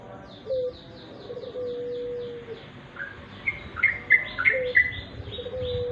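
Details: {'caption': 'Sooty-headed bulbul in dim light, a natural recording: bursts of short bubbly chirps in the second half, with a long, steady, low whistle and faint high ticking notes heard alongside.'}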